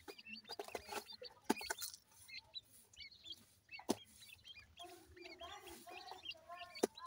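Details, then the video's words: Young grey francolins calling to their mother with high, thin, curling cheeps in short bursts at the start and again near the end, with occasional sharp knocks and faint rustling. "goray teetar kay little chicks beautiful,titer baby ki boli"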